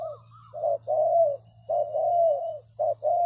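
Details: Spotted dove kept as a lure for bird trapping, giving low mellow coos: a short note, then long sustained rolling coos, over a low steady hum.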